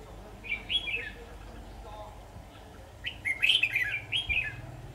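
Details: Red-whiskered bulbul used as a decoy bird while trapping wild bulbuls, recorded 23 October 2019; two bursts of quick, warbled, rising-and-falling phrases, the second longer and louder, with quiet background and people talking briefly nearby.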